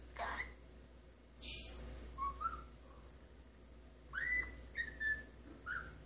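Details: Pet male Maximilian's pionus parrot perched by a kitchen sink, running through scales and bits of songs: a sharp high whistle, then lower clear notes that rise and fall, forming a short melodic phrase.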